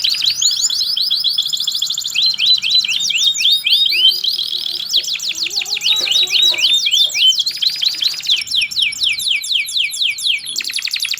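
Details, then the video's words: Canary singing a loud, sharp rolling song in the Indonesian style called cengkok nembak: rapid trills of repeated downward-sweeping high notes, switching between fast buzzy rolls and clearer whistled phrases, with no pause throughout. "KENARI GACOR NGEROL TAJAM||MASTERAN BURUNG||Kenari Gacorr cengkok NEMBAK."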